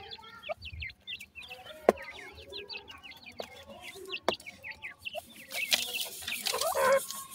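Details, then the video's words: Grey francolin chicks at feeding time give a busy stream of thin, high, hooked peeps from several birds. Occasional sharp clicks and a rising hiss of rustling noise come toward the end. "gora teetar checks feeding,titur checks voice"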